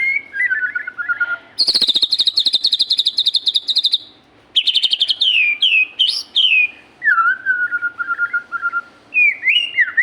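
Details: Magpie-robin singing vigorously: descending whistled slurs, a dense buzzy rattling passage, then sharp upswept notes and sliding whistles ending in lower wavering phrases with brief pauses between.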